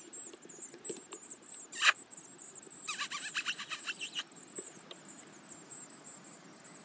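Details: Eurasian blue tit chicks, eyes not yet open, in a nest box, opening their gapes to be fed after reacting to squeaking; a thin, high, continuous hissing chatter runs throughout, broken by loud rustling bursts near two and three seconds.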